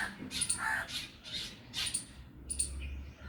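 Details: Black Drongo giving harsh, scratchy bursts mixed with a few sharp metallic notes, about a call per half-second, over a low background hum; a squirrel is also present.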